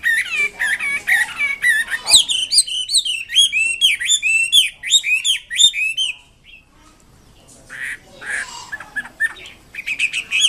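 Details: Vigorous wambi kembang mandarin song: dense, fast chattering and whistled notes, then a steady run of sharp, down-swept chirps, a brief lull, and a renewed burst of harsher high calls.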